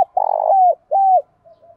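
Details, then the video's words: Flock-calling coo of a spotted dove used as a lure. A long, rough, buzzy coo slides into a clear falling whistle, then a shorter whistled coo drops off at the end. Faint soft notes trail after it. "Tiếng Cu Gáy Giọng Hạp BổI Gáy Gọi, cu cườm gáy gọi bầy, tiếng chiêu một hậu, cu đất gáy gọi bổi mới"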